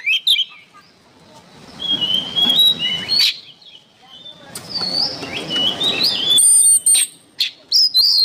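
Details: Oriental magpie-robin (kacer) training song: intermittent whistled phrases and chirps over a steady rustling background noise, ending with sharp high whistled notes.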